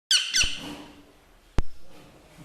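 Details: Baby parrot indoors giving a brief harsh, raspy squawk followed by a second rougher burst. A quiet stretch follows, then a single sharp click.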